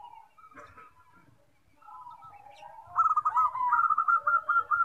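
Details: Zebra doves, one setting others off singing: soft tonal cooing near the middle register at first, then louder rapid staccato coo notes in quick rhythmic bursts from about the third second, with faint low rumbling underneath.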